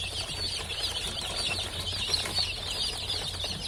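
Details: Newly hatched domestic chicks, a group just emerging from their eggs, filling the air with a dense, continuous chorus of high, thin peeps that overlap without pause, over a steady low hum.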